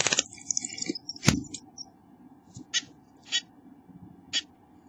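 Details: Two chickadee chicks being fed by parents in the nest give high, buzzy, hissing bursts, a flurry at first and then single bursts about a second apart, with a sharp knock and a low hum behind.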